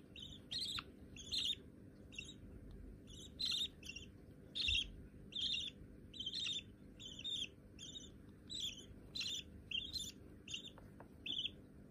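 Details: Budgerigar chicks that already sit on a hand keep up a long run of harsh short chirps, roughly two per second, evenly buzzy, with soft room hum and an occasional faint knock.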